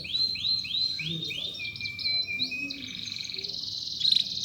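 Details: Long chirping canary song meant for training young canaries: a series of five rising whistled upsweeps, a steady held whistle, then a dense buzzy roll ending in a bright chirp, over a faint background hiss.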